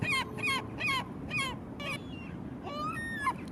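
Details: Herring gull uttering quick, nasal, downslurred yelps that slow and loosen midway, ending with a longer rising wail and a final sharp note, against a low rumbling background.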